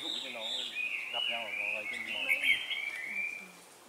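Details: Red-whiskered bulbul (Pycnonotus jocosus) song during bulbul trapping in Vietnam on 4 December 2016: bright, warbling whistled phrases with quick rising and falling turns, over a low murmur of human voices.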